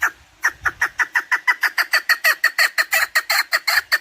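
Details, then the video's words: Chukar partridge calling, a recording meant for hunting: after a brief low noise, a steady train of harsh, slightly rising chuk notes repeats about four times per second. "Овози кабк кеклик калик пение каклик мастак модкабк шикор"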